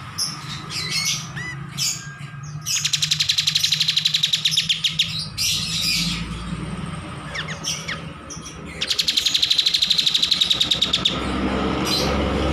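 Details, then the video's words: A kapas tembak bulbul on a master training recording. Two long, fast rattling trills of rapid even pulses, each lasting about two to three seconds, separated by chirps and brief whistled notes. "MASTERAN KAPAS TEMBAK GACOR"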